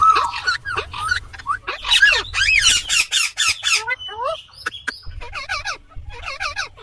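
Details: Indian green ringneck parrot calling: harsh, buzzy screeches in fast bursts, some rising and falling bent notes, a few thin whistles near the end, low background rumble throughout.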